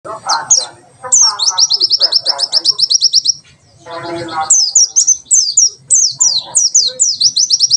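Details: White-eye singing in the tembakan sejalur style, used as a master recording for training birds: rapid series of high, sharply down-slurred whistled notes in fast bursts, with lower chattering and a brief murmur between phrases.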